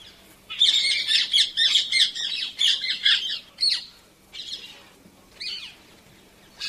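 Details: Painted Spurfowl giving a loud, rapidly repeated harsh chirr: a fast run of rasping, high notes in a dense burst, then a few more spaced chirrs trailing off.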